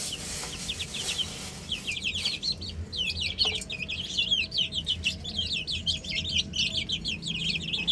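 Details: Baby chickens on a roof give dense rapid peeping, many short high downward-sliding chirps overlapping, sparse at first then building into a continuous chorus, with a faint low hum beneath.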